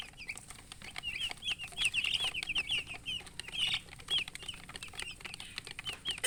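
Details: Just-born baby chickens chirping loudly, a dense run of high peeps overlapping one another, with frequent clicking and tapping noises behind them.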